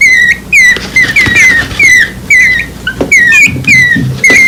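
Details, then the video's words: Two baby birds under one week old, grounded after their palm-top nest was moved, call for their mother: steady series of shrill descending squeaks, roughly two per second, over faint clicks and handling sounds. "Sound of Birds Calling Mom"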